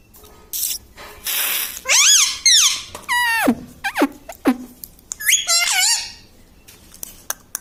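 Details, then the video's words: Pet parrot talking, mimicking words such as mummy papa and sita ram: a burst of harsh noise, then a run of wavering, whistled voice-like syllables with sweeping falling and rising pitch, indoors. "Parrot talking mummypapa 🥰parrot talking sitaram"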